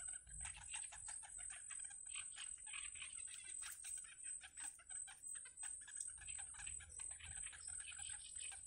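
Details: Wild yellow bittern chicks being fed in their nest give bright, raspy calls in rapid bursts that swell and fade, backed by a continuous high thin whine.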